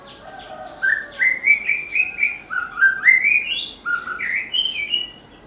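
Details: Melodious white-rumped shama song, a species noted for mimicking other birds: a string of about a dozen short whistled notes climbing and dropping in pitch, delivered rapidly and evenly, with a faint lower warble early on.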